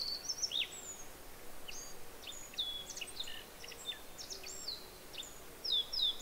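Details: Japanese Yellow Bunting song mixed with an overlapping Black-faced Bunting: a rapid run of high sharp chips and thin whistled slurs, phrases tumbling closely together, with faint low background hum throughout.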